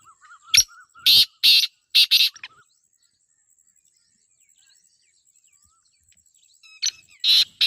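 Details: Black francolin female calling for a male: a soft, wavering note, then a phrase of harsh, rasping bursts. After about four seconds of silence, the phrase starts again with a similar run of scratchy, broadband notes.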